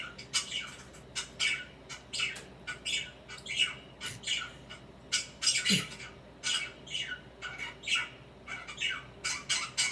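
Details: Budgerigar kept as a pet chatters while it swings and preens, a steady stream of clicking, squawky chirps and brief warbled notes, closely spaced across the whole stretch.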